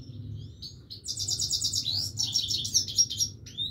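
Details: Himalayan goldfinch singing continuously: a fast, bright twittering of high chirps and trills, short notes rattled in quick runs with a few clear whistled notes near the end, over a low steady hum.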